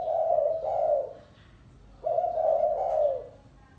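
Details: A spotted dove gives two long, warm, rolling coo phrases in the gáy gù style, each lasting about a second, separated by a short pause.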